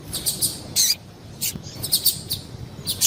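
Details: Female double-collared seedeater calling to excite males: irregular high, squeaky chirps and short buzzy notes scattered through the clip, with faint low background noise.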